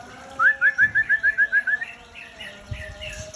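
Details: Breeding-stock white-rumped shama, Aceh type, delivering a steady series of about ten short rising whistled notes in quick succession, followed by softer, fainter warbling.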